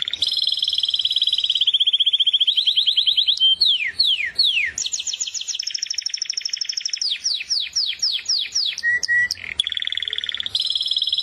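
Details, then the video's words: Canary song: long sequence of fast rattling trills, sweeping falling whistles and repeated down-slurred notes, changing phrase every few seconds, with brief flat whistles late in the sequence. "زقزقه العصافير طيور الكنار كناري"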